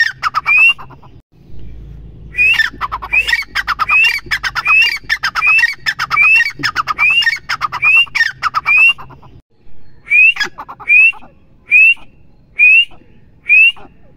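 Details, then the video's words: A female grey francolin gives loud, harsh, squawking notes, each with a quick rising edge, repeated about once a second in steady bursts with brief pauses between. "teetar ki awaz female"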